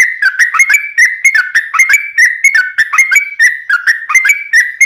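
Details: Yellow-vented bulbul in long, non-stop ropelan ngelituk song, used to train birds and lure wild bulbuls: rapid, liquid whistled phrases rising and falling, tightly linked without pause, in a clean recording.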